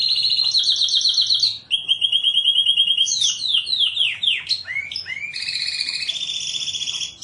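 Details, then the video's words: Canary song used as a master recording to train pet songbirds: long, rapid, high trills that switch pitch every second or two, broken by swooping downslurred notes and then more fast rolling trills. "MASTERAN BURUNG KENARI"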